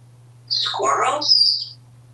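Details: Pet African Grey Parrot, male, hatched 1997, living indoors in a Texas home, happy and very talkative with fans running; one brief utterance about a second long, a voiced speech-like middle framed by high whistled tones, over a steady low hum.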